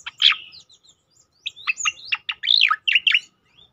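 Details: Striated grassbird song used to train and provoke other birds; a loud harsh opening burst, a pause, then a string of varied sharp whistled and slurred notes, rising and falling quickly.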